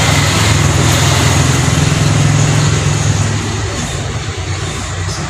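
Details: A loud, droning engine rumble from passing traffic dominates and slowly fades, with no animal call audible.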